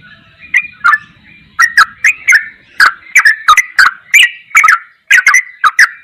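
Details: Sooty-headed bulbul ropelan goklikan song from a masteran recording: soft opening notes, then a brisk series of sharp chirping whistles with clicking onsets.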